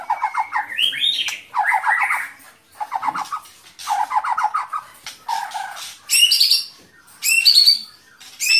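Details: White-rumped shama song: bursts of rapid buzzy, nasal repeated notes alternating with sharper high whistled phrases and short pauses, varied delivery throughout.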